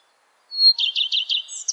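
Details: Common Redstart song: a single clear whistled note at the start, then a fast run of short buzzy, jangling trilled phrases ending in a high twitter, with no other sounds.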